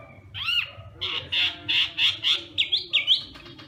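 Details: Hwamei morning training song: one swooping whistle, then a series of loud rich notes repeated about three times a second, finishing with quick high stepped whistles.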